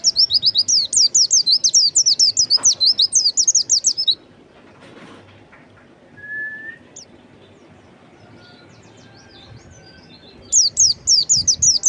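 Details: White-eye, locally called pleci or kacamata bird, singing a fast run of high, thin descending notes in rapid succession for about four seconds, then a pause with faint distant calls, before the twittering resumes near the end.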